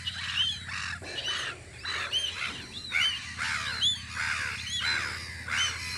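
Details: Gulls at their guarding post on Audru polder in spring, giving repeated short downslurred and arched cries in overlapping bursts about every second, a busy colony chorus with a low steady hum beneath.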